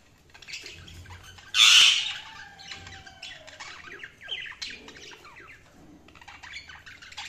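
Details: Tame pet cockatiel letting out one loud harsh squawk, followed by a run of softer varied chirps and short whistled notes across the rest of the recording.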